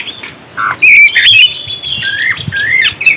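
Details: Oriental magpie-robin song played to stir up other magpie-robins: loud whistled phrases sliding up and down, broken by short harsh notes, with a brief quieter start.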